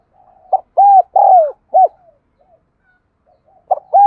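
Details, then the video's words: Spotted dove kept as a lure bird: one full four-part coo phrase, a pause with faint soft notes, then the next phrase begins with a stutter and sustained coo. "Tiếng Chim Cu Gáy Thúc Gù Gáy Gọi Mới Nhất || Chim Cu Gáy Mồi"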